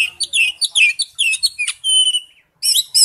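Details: Dense warbling from an Oriental magpie-robin singing wild-style: rapid mixed whistles and chatter, a long level whistled note, a brief silence, then a fresh burst.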